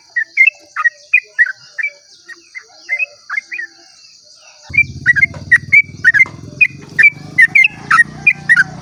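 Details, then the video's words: At dawn, a Sooty-headed bulbul sings a long 'ropel' song used to prompt other bulbuls to sing. Bright, bubbly two-part notes repeat about twice a second. A low droning hum joins midway, with constant high insect buzz behind. "pancingan trucuk ropel panjang cengkok termerdu saat subuh"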